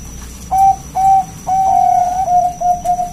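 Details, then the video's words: Zebra dove of the Bangkok type, a loud local bird whose song is played to lure other doves into singing: clear whistled coos, two short notes, then a long drawn note and three quick shorter ones, over a faint steady high tone. "Perkutut Bangkok gacor Suara KUNG BESAR Masteran Burung Perkutut agar Bunyi GACOR"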